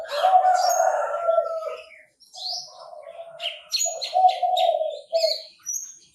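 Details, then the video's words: A Chinese francolin opens with a loud, harsh, grating phrase of over a second. Shorter rasping notes follow at irregular intervals. Sharp high chirps from other birds overlap the call. "Tiếng chim ĐA ĐA gáy"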